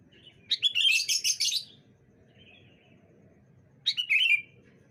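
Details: Sooty-headed bulbuls answering each other on a sunny morning. A long, chattering, bubbly run of rapid whistled notes is followed by a quieter pause, then a shorter slurred phrase of several notes.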